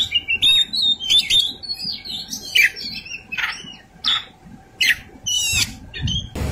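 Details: Oriental magpie-robin giving a rich, varied fighting song: clear whistled notes and slurs interrupted by harsh rasping bursts, phrases coming every half second or so, with low hum.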